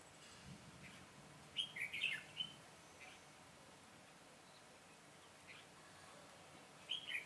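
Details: Caged decoy red-whiskered bulbul singing to lure wild birds while trapping on 22 September 2017: two separate bursts of chattering warbled notes, one near two seconds and another at the end, with quiet gaps and faint hiss between.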